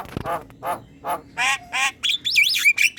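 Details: Black-winged myna in full song for training other birds, giving a run of harsh nasal squawks about three per second, then a looping, warbling whistle at the end.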